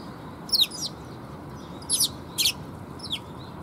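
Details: Several sparrows arriving to be fed at a Tenmangu shrine, 30 October 2021: four sharp, high, downward-sweeping chirps spaced about a second apart, clear above a quiet hissy background.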